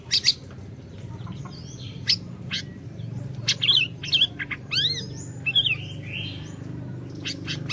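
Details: Orange-bellied leafbird singing actively, used to lure a silent bird into song: sharp high chips mixed with warbled, arched whistles and a few buzzy slurs, coming in loose bursts over almost eight seconds above a low hum.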